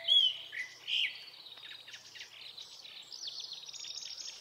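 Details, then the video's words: A Japanese thrush in an early-summer Hokkaido forest opens with two clear whistled notes, then a long stretch of fast chattering trills; captured with a Nikon Coolpix P950. "クロツグミの鳴き声（さえずり） / Japanese Thrush"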